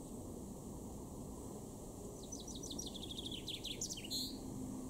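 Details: Garden recording from Weener, East Frisia, Germany, July 2022: a male chaffinch delivers one cascading song of rapid descending notes that speeds up and ends in a loud terminal flourish, against constant low-pitched background noise.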